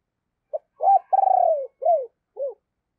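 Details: Spotted dove used as a decoy, giving its deep, gruff call: a brief opening note, a rising note, a long tremulous coo and two downward-sliding hoots in one phrase.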